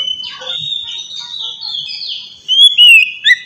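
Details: Oriental magpie-robin (kacer) singing in the loud ngeplong fighting style meant to stir aggression and breeding mood in untrained birds: sustained high whistles, then sharp rising and falling whistled notes near the end.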